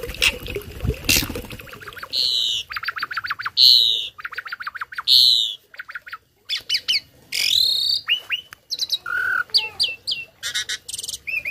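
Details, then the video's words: Tame Asian pied starling singing a song full of imitated fills, used as a tutor for other birds: a noisy burst, then varied loud whistles, buzzy bands, sharp up-slurred notes and rapid chattering phrases at irregular intervals. "Burung Jalak Jinak Isian Nembak || Cocok untuk masteran burung lain langsung nyaut"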